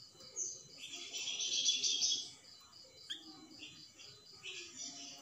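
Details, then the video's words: Grey-headed canary-flycatcher gives a very high, rapid song of sharp chirps and bright buzzy trills, delivered in quick bursts with brief pauses between phrases. "suara burung plamboyan tembakan"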